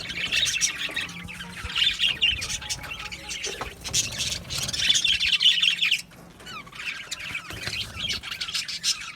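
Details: Budgerigar chirping: bursts of bright, scratchy chatter and squeaky tweets that pause briefly near the six-second mark, then resume more softly, with a low hum beneath.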